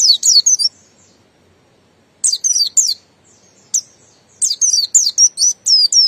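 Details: Ngalas song of a Buxton's white-eye: clustered bursts of high, piercing descending whistles, a lone note in between, ending with a fast string of slurred twittering notes.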